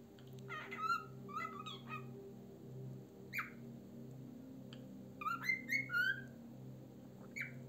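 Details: Cockatiel at home producing scattered whistled notes and short chirps, a cluster early, a single falling whistle mid-way, then a quick group of four whistles, with low hum throughout.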